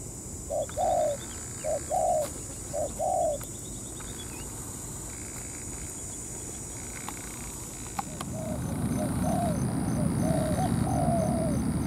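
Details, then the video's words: Spotted dove used as a ground decoy to lure a wild dove into fighting over territory: three short cooing phrases at the start, then a louder low rumbling noise with faint, distant cooing beneath it. "Bẫy chim cu gáy mồi đất"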